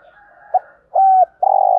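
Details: Spotted dove kept as a decoy, cooing thúc gù style to stir wild doves: a brief clipped note, then a sustained level coo, then another long steady coo beginning, over faint background murmuring.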